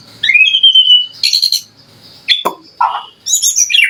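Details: White-rumped shama song meant to provoke other shamas into answering: a clear rising whistle, then scattered harsh bursts and short chattering notes separated by pauses.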